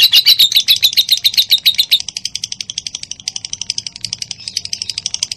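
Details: Lovebird, of the type called minor, singing in a recording meant to prompt other lovebirds to sing: dense rapid chattering notes, about four per second, high and metallic, loudest in the first two seconds, then a softer continuing chatter.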